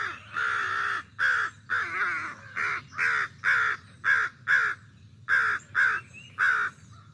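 American Crow giving about a dozen harsh, hoarse caws in quick runs, some paired, roughly two per second. Nothing else is heard.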